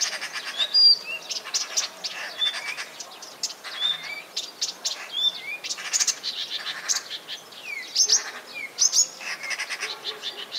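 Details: Common nightingale, a small grey bird, singing; varied, high whistled notes, rapid trills and sharp chirps in fast bursts, phrases changing every second or two.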